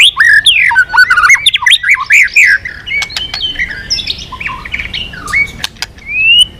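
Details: Aggressive white-rumped shama pouring out quick, jumpy whistled notes for about two seconds, followed by softer scattered whistles and a final rising note.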